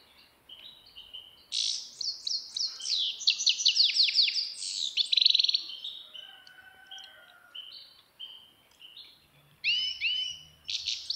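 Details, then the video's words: Grey-headed goldfinch song: rapid, tinkling twitter of high buzzy and liquid notes in dense bursts, then softer lower trills and thin whistles, ending with a fresh burst of sharp, sweeping chirps. "пение седоголового щегла"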